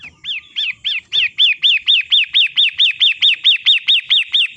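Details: Long-tailed shrike recording meant as master therapy to make caged birds sing: a steady series of loud, clear arched whistled notes, about four each second, evenly repeated throughout after a few softer opening notes.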